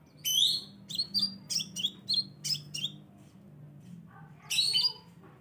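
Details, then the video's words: Scarlet minivet lure sound meant to attract birds: sharp, high, slightly buzzy chip notes in a quick run of about eight, a pause, then a harsher chattering burst, with low background hum. "suara pancingan burung sepah raja"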